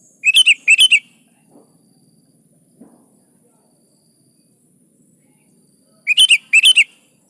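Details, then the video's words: Sooty-headed bulbul singing vigorously as a lure for other kutilang: paired clusters of bright, clipped whistled notes open and close the stretch, separated by several seconds of quiet with faint low taps. "SUARA BURUNG KUTILANG GACOR"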